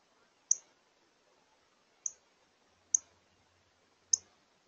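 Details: A female northern cardinal at a bird feeder at dinnertime in the evening, crest raised and seemingly on edge, gives four sharp, high, metallic chips spaced unevenly about a second apart against a quiet background.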